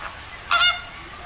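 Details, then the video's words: Greater flamingo filmed in Asia or Europe, giving a single loud nasal goose-like honk lasting about a quarter second. "Flamingo birds with natural sound"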